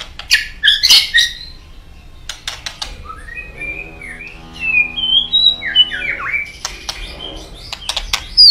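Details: White-rumped shama song used as a lure to get other birds singing: sharp clicks and a harsh burst, then a varied run of sliding whistled notes, followed by more clicks.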